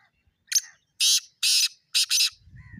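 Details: Harsh, scratchy call of a black francolin: a short opening note followed by three loud rasping bursts, the final one doubled, then a faint low rumble.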